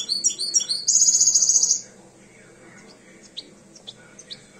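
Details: Two-year-old European goldfinch coming into breeding condition sings a quick run of high twittering notes, then a fast, buzzy, even trill lasting about a second, followed by quiet and a few faint distant chirps.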